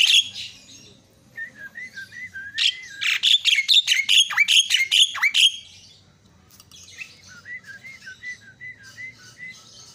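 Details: Myna calls used as a lure for quiet mynas: soft whistles, then a burst of loud harsh rattling chatter lasting about three seconds, then gentle repeated whistled notes.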